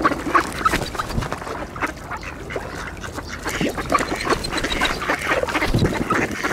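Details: Gathered mallards quack for position while scrambling for scattered seed at an ice hole shared with Eurasian coots; rapid, irregular harsh quacks in dense succession, with bursts of splashing and low thumps.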